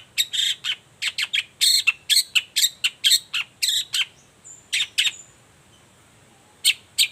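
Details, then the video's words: Long-tailed shrike morning song meant to make quiet shrikes respond: a quick run of sharp, harsh chips, around two per second, then a pause and a few last notes. "Suara cendet gacor Pagi Hari pancingan jitu BIKIN cendet diam langsung nyaut ikutan bunyi"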